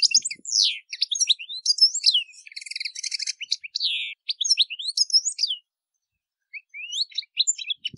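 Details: Song of a European goldfinch: fast liquid twittering with rising and falling whistled slurs and a grating buzzy stretch, pausing for about a second before resuming with scattered chirps.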